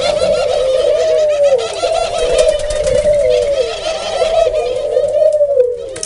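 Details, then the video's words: Dove giving a steady run of low, soft coos, each note sliding downward and repeated about every two seconds, with fainter high-pitched background chatter throughout. "Dove bird what a nice sound"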